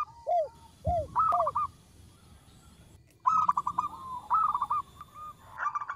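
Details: A small-voiced local zebra dove, used as a lure: three low, curved coos, then a short stuttered trill, a silent gap, and two more rolling staccato phrases.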